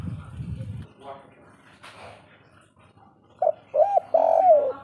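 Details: Spotted dove (derkuku), 'kuk 3' call style: after human speech and quiet, a few mellow arched coos end in a longer, sliding coo.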